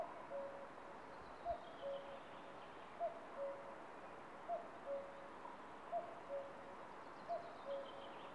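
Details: A common cuckoo calling from a branch in Estonia, caught on a camera trap, gives its familiar two-note 'cu-coo', the second note lower, about every one and a half seconds over a steady background hiss.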